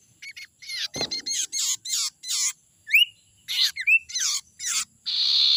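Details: Young forest sirtu, a lure sound: rapid harsh buzzy calls and sharp upslurred whistles in a lively series, with a knock early on and a steady buzz at the end.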